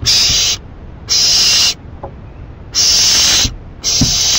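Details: Owl at 11:30 PM on 28 May 2012 tearing at a rabbit it was given; four loud, harsh hisses, each about half a second, with faint taps and knocks in the pauses.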